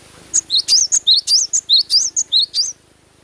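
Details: Cinereous tit in full natural voice, singing vigorously: a quick string of about ten bright notes alternating between short high pips and rising whistled slurs, evenly paced, then quiet.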